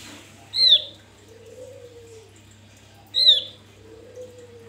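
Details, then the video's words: Wild Javan grey-throated white-eye, its song meant as a lure: two loud, clear, high whistled notes sliding downward, roughly two and a half seconds apart, separated by gentle low cooing sounds and a steady background hum. "Opior jawa buka paruh ngalas Untuk pancingan"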